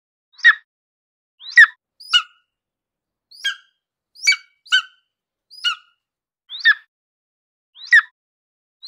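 Golden Eagle giving a series of sharp, yelping notes, about ten in nine seconds at an uneven pace. The notes are bright and slightly harsh, over a silent background.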